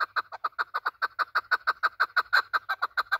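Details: Afghan desi chukar partridge used by hunters, giving a steady, rapid series of loud clucking chuck notes, roughly five or six per second, unbroken throughout and ringing with a strong nasal tone.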